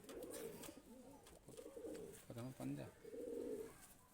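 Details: A Madrasi pigeon, one of a male-female pair, gives soft, low, rolling coos in short bursts, with a man talking between them.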